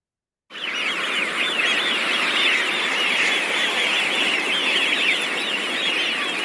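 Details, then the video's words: A large wintering flock of Eurasian Wigeon gives a constant chorus of high, clear, whistled 'whee-oo' calls that overlap without pause. "Let's have a look and a listen to the Wigeon."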